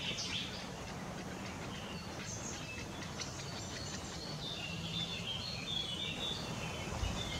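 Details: Middle Spotted Woodpecker at its nest: thin, high chirping notes come in quick, uneven bursts over a steady low rumble of background noise.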